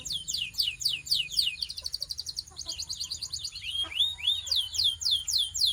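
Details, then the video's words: Belgian canary warming up into song, with dense, rapid chattering trills of high, falling whistled notes that run almost without pause, briefly shifting to a faster rolling trill midway before the quick sweeps return. "This BELGIAN CANARY SINGS BEAUTIFULLY - Warms up quickly!"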